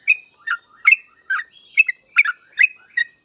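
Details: A yellow-vented bulbul sings in busy 'full ropel' style, eight crisp warbled chirps in about three seconds, alternating up and down in pitch, with soft whistled links between them.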